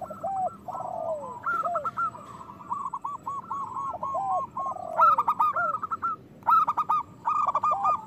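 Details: Several local zebra doves coo together, a recording meant to prompt lazy doves to sing and breed. Rapid trilled, stuttering notes overlap steadily, with lower downslurred coos and loud bright bursts near the end.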